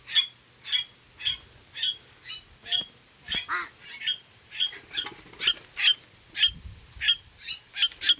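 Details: Pet koleto (Asian glossy starling) kept with pet crows, calling in a long run of sharp, ringing chips roughly twice a second, briefly broken by a harsher rasping note midway, faint background noises underneath.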